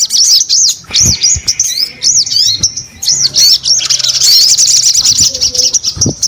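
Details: Bright arched chirps from a sogon come in quick series, then blend into a fast shrill trill; short clicks punctuate the vigorous singing.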